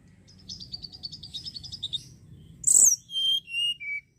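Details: Singing Sunda robin, played to lure other birds: a soft fast high trill of about a dozen notes, then a loud sharp high note and three clear whistles falling step by step in pitch, low hum beneath.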